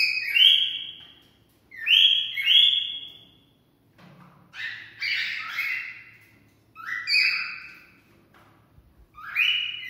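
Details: Cockatiel singing to stimulate mating: rising whistled phrases, some doubled, that break into a harsher chattering cluster midway, then return to clear upward-sliding whistles.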